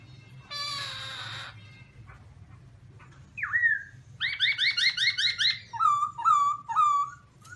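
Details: Caged Black-throated laughingthrush sings very loud, clear whistled phrases: a rising note, a rapid run of paired chirps, then repeated falling whistles after a brief harsh rasp; low hum beneath.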